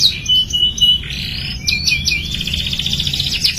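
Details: Canary song for getting young canaries singing: a few loud chips and a thin held whistle, followed by a rising sweep into a fine, rapid buzzy trill.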